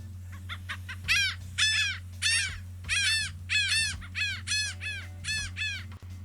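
Laughing Gull giving its long call: a run of about ten nasal, harsh 'hah' notes, rising then slowing, like giggling laughter; a low hum underneath.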